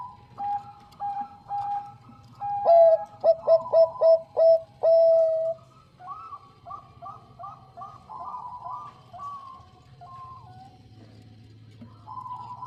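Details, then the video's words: Bangkok zebra dove, female calling the male: loud rhythmic coos, a rapid stuttering run ending in a long steady coo, then other doves answering with quieter rising coo series. "PERKUTUT BANGKOK GACOR SUARA JERNIH MENGUNDANG BUNYI"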